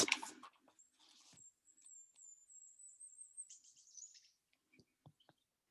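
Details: A Ruby-crowned Kinglet, a songbird of the northeastern US, sings a spring-evoking run of very high, thin notes for about two seconds, then a quick tumbling, slightly lower warble; a brief knock at the start.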